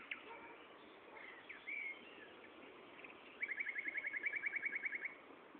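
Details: Common nightingale singing at Gaasperzoom, 16 May 2012 at 15:30, opening with scattered whistles and a short warble, then a rapid rattling series of about fifteen identical clipped notes delivered quickly and evenly.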